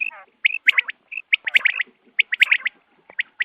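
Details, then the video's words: Quail calling for use in dawn hunting, heard as quick clusters of bright, squeaky chirps mixed with short buzzy rattles and a few sharp clicks, in uneven bursts of two to four notes. "batair ki awaz subha k liye"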